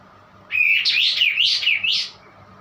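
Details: White-eye singing a strange, high warbled phrase that climbs, dips and rises again over about one and a half seconds.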